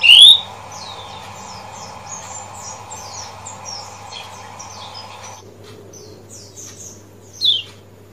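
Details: Lemon-bellied white-eye from Lombok, played to stimulate singing: a loud sharp chirp opens, then many faint, thin, high tweets and trills follow in quick succession, ending with another loud chirp, over a steady low electrical hum.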